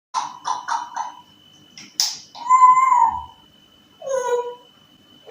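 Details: Pet African grey parrot indoors imitating sounds, talking and whistling: a quick run of three meow-like notes, a sharp burst, then a drawn-out mewing cry and a falling whine, against a steady faint electrical tone.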